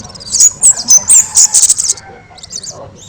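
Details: Kemade singing loudly and actively as a master song for training other birds: a fast run of piercing, very high chirped and whistled notes about four per second, then fainter high twitters.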